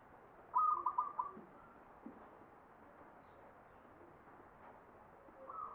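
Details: Zebra dove (perkutut) singing in the ngepat style of the Mataram Jogja standard: one bright cooing phrase of quick stuttered notes over about a second, then a long quiet gap and a faint start of another phrase at the end.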